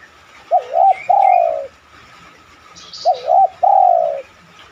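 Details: Two clear coo phrases from a spotted dove, each two short notes and a long, falling coo about two and a half seconds apart, used as a lure to make other doves coo.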